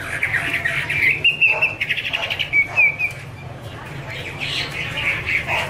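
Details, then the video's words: Chinese hwamei female 'te' vocalizing with a male behind her; short warbled notes and quick trills in uneven bursts, moderately loud over a steady low hum. "Chim hoạ mi: Mái te đỉnh cao của năm _ có chim trống làm nền"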